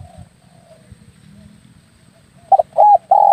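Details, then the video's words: Spotted dove lure call, used to draw doves in for air-rifle hunting: after nearly quiet low rumble, three loud mid-pitched coos close the clip, two short clipped notes then a longer drawn-out coo. "SUARA PIKAT BURUNG TEKUKUR/DERKUKU"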